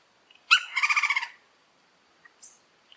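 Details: Red-crowned woodpecker among Orinoquía forest trees giving one sharp harsh note followed at once by a fast pulsed churring rattle lasting under a second, then a short high squeak and near silence.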